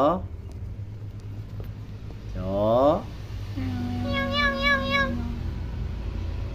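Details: Tame talking common hill myna imitating a cat's meow: a drawn-out harmonic meow, then a long steady nasal tone topped by a wavering whining note, with a person speaking nearby and a low hum throughout.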